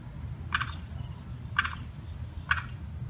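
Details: Small limpkin chick stranded on the wrong side of a fence from its mother and sibling sounds three quick harsh distress notes, roughly one per second, against a low rumbling background.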